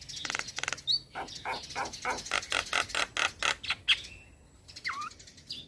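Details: Rapid harsh chattering from a young male Javan myna, broadband grating notes in a dense string, with a few whistled slurs and a down-up sweep near the end.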